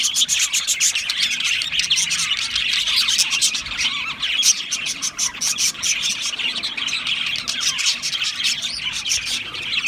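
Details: A large group of Australian parrots keeps up ten seconds of unbroken high chatter, thin rapid chirps and warbles stacking into a bright, even twittering.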